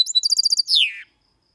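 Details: Goldfinch x canary hybrid, 2022, singing a clean, error-free song in the Malaga copy style meant to stimulate males and teach young birds: a fast run of bright, evenly spaced trilled notes ending in one long buzzy slur falling in pitch.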